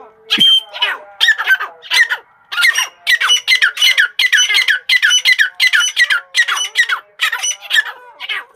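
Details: Grey francolin (Ortygornis pondicerianus), call.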